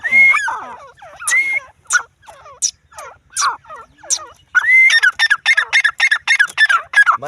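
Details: A female grey francolin gives loud, harsh, ringing notes with whistled rising slurs, first spaced about a second apart, then crowding into a rapid, excited series.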